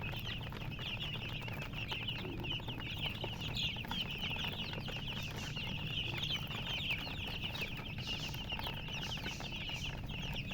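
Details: Many colored baby chickens peep nonstop, with bright, rapid chirps overlapping into a busy high chatter throughout, and a constant low rumbling hum underneath.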